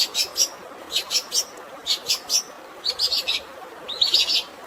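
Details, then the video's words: Fighting song of a long-tailed shrike with sparrow-style filling. Bright, sharp chirps come in groups of two to four, roughly one per second, with a denser chattering run near the end, set against a continuous wash of flowing water. "CENDET ISIAN GREJA TARUNG DAN SUARA AIR ALAMI, UNTUK BURUNG STRES"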